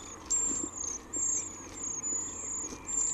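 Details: A Eurasian treecreeper at a nest in a cypress cleft in a central Wales garden gives very high, thin, slightly falling notes about half a second long, roughly once a second. Both parents are feeding the nestlings.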